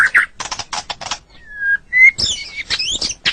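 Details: Caged white-rumped shama on a song-training recording: dry rapid clicks, two pure sustained whistles, then a harsh buzzy warbling flourish.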